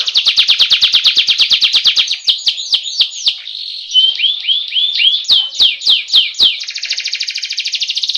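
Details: Rolling ngeroll canary song played to train birds to sing: a fast pulsed trill at the start, then downward-swept whistled notes and clicks in varied sequence, ending in another rapid buzzy trill.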